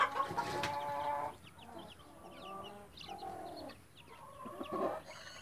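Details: Mother hen with chicks: a loud rough harmonic cluck burst opens, then softer broken clucks and many short high chick peeps, ending with another harsh cluck.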